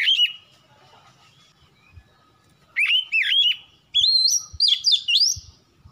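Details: Oriental magpie-robin (kacer) song from a recording played to coax birds into singing: short bursts of looping, sliding whistles separated by pauses, the later phrases higher and more intricate, with faint soft knocks beneath.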